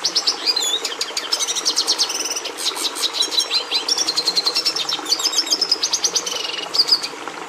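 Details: Red siskin, the Venezuelan finch admired by breeders, singing a rapid, unbroken warble of high chirps, buzzy trilled phrases and brief rising and falling whistles, the notes pulsing several times per second with slight hiss behind.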